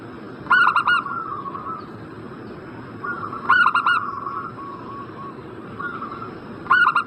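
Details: Zebra dove used as a lure to make a bird in breeding condition reply: three separate bursts of quick, pulsing coos about three seconds apart, with long, soft, wavering cooing between bursts.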